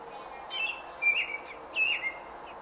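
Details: Robin during nesting, day 28, recorded June 5, 2018: three loud clear whistled notes with wavering slurred pitch in quick succession, with a faint background hum.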